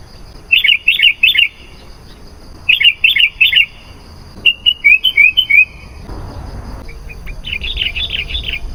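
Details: Sooty-headed bulbul song used to lure wild bulbuls: two bubbly three-note phrases, then a run of quick sliding notes, a short gap, and a softer chattering phrase over a rising background hiss.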